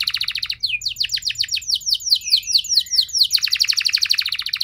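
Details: Canary singing as a lure to get other canaries responding quickly with long song bursts: a buzzy rapid trill gives way to a row of swooping slurred whistles, then a bright fast trill returns.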